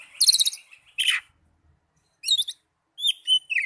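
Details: Oriental magpie-robin, a young or non-singing kept bird's song used as therapy to prompt singing: bright high chirps and a buzzy downslurred note, then two short clusters of whistled notes after a pause.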